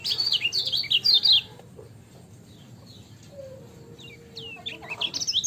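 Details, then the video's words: Lemon-bellied white-eye, ciak-style song: over a second of loud, quick high twittering, a lull with a soft, low, drawn-out tone and faint notes, then another burst of twitters at the close. "MASTERAN KECIAL KUNING CIAK JOSS GACOR"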